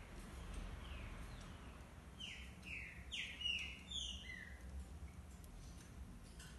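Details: Green-winged saltators (true trinca-ferro) singing a series of short, clear, downslurred whistled phrases, bunched mid-clip over a steady low rumble; Green-winged saltator.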